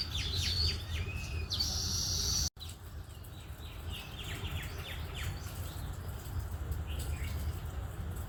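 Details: Baya weaver calling in forest, giving rapid, high chirps and short downslurred notes in loose irregular runs, with a brief dropout partway through and constant low rumbling noise beneath.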